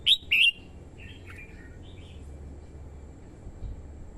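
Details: Red-whiskered bulbul singing as a decoy to lure wild birds. Two loud whistled notes open the recording, followed by softer, fainter warbled notes and quiet background hum.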